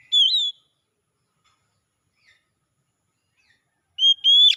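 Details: Oriental magpie-robin in a recording meant to restore a bird that has stopped singing: two short bursts of clear wavering whistles, one at the start and one at the end, separated by near silence.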